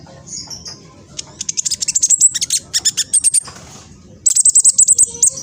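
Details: Juvenile speckled black sunbird, phone-recorded in East Java, Indonesia, singing fast to provoke other black sunbirds. Shrill, piercing notes repeat in quick even trains, broken by a short silence, then a bright, clipped run at the end.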